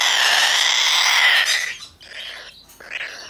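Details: Domestically bred, hand-tame Blue-eyed cockatoo, recorded 6 Dec 2019, gives a loud, harsh, grating screech lasting over a second, followed by two quieter rasping squawks.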